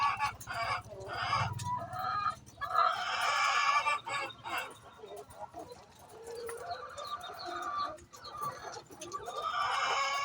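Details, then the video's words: Hen calling ahead of laying eggs: repeated rough, harsh squawks in irregular bursts, with a low hum and occasional knocks in the background. "Chicken makes noise before laying eggs"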